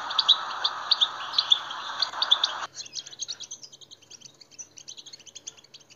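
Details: European goldfinch singing, a recording meant to excite captive goldfinches: bright twittering phrases over a hiss that suddenly cuts out, leaving softer, thinner chattering notes.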